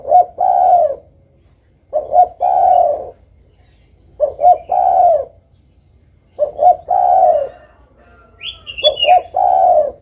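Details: Spotted dove repeating its low three-part coo five times at about two-second intervals, a double stutter then a drawn-out mellow note, with one brief high chirp from another bird late on.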